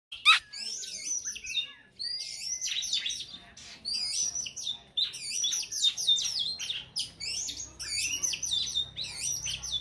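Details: Oriental magpie-robin kept as a lure bird to provoke fighting birds, singing a busy run of high, varied chirps, trills and short whistled phrases with brief pauses, over faint low background hum.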